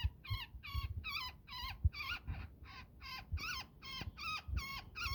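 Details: Angry woodpecker tangled in a net as a person cuts it loose: around thirteen harsh, buzzy, downward-slurred calls over five seconds, with occasional knocks and rustling from the rescue.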